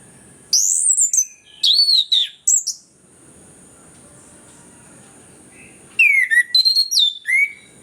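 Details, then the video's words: Orange-headed thrush giving varied whistled song, used as a lure for birds reluctant to sing: loud high slurred notes in two bursts with a calm pause between. "ANIS KEMBANG GACOR, PANCINGAN AK MALAS BUNYI BIAR GACOR"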